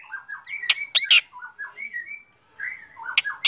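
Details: Morning song from an active black drongo: soft, rolling whistled phrases interrupted by sudden loud, harsh, scraping notes, then more whistles and a final rasp.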